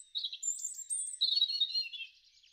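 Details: European robin in a garden in spring 2013: a continuous sweet warbling phrase of very high thin whistles dropping into a rich rapid trill.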